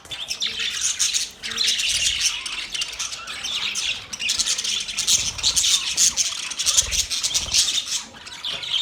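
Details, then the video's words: Budgerigar chirping: a continuous high-pitched twittering of many overlapping warbles and squeaks. It pauses briefly near the start and then surges in bursts throughout, with occasional soft low thumps. "Australian Parrot Bird Chirping sound"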